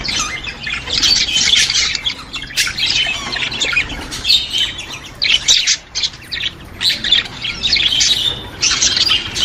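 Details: Budgerigar flock sound for stimulating budgies: busy high warbling and squawky chatter in waves, pausing briefly around the middle before resuming.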